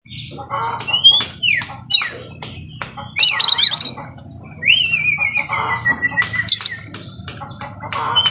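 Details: Oriental magpie-robin in full song packed with mimicked phrases: long whistled slurs sliding down around 2-4k, sharp rattling bursts and harsh buzzy notes, with gaps between phrases.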